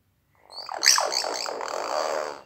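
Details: Common hill myna talking outside the house: a loud, harsh, buzzy utterance with wavering sweeps lasting about two seconds, following a short spoken phrase.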